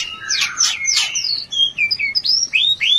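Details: Breeding-urge therapy song of a white-rumped shama: a burst of loud rich warbling followed by a string of clear, pure whistles, several sweeping upward.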